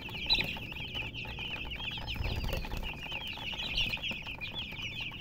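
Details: Colour chickens chirping together, a busy stream of high, short, wavering peeps from several birds, fairly even in loudness, with faint low thumps beneath.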